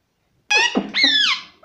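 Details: Pet parrot calling out in a high, nasal, mimicked voice: a quick harmonic syllable dropping low, then a longer bright note that rises and slowly falls.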